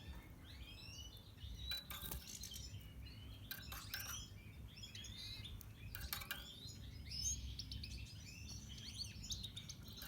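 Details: A pastel-mutation red siskin (Spinus cucullatus) sings a fast, twittering run of high buzzy trills and chirps, with a steady low hum and a few clicks and taps behind it.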